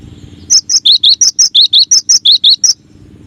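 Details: Cinereous tit, gelatik wingko, training song: about a dozen bright, clipped chirps delivered quickly in a steady series, alternating higher and slightly lower notes, with a quiet background.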